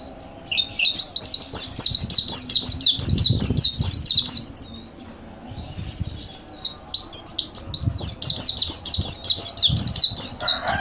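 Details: Mountain white-eye master song for training: long runs of rapid, high, thin twittering notes, each sliding downward, pouring out in dense bursts with a short pause midway and low background rumble.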